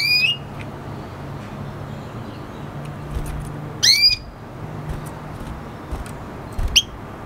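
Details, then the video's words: Singing red siskin hybrid, a siskin crossed with canary (F1): a few loud rising whistled notes with harsh overtones, separated by pauses, plus soft ticks and a low background hum. "Red hooded siskin singing | Cardenalito venezuela cantando"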